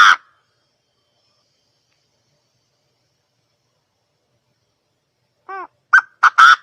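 A quail gives a brief harsh note, then, after a long silence, a quick cluster of three or four short, rough, nasal calls.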